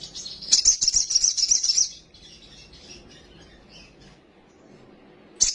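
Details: Agitated sunbird song used as a lure, packed with fillers and sung with quivering wings. It opens with a piercing, rapid chattering trill, then soft faint notes, then a sudden high burst at the end.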